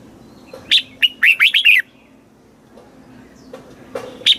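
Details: Red-whiskered bulbul recording from Thailand, in southern master-style phrasing, played to excite caged birds and teach young birds. A short, quick phrase of about six rich, warbled notes, then a pause and a few sharp, clicky notes.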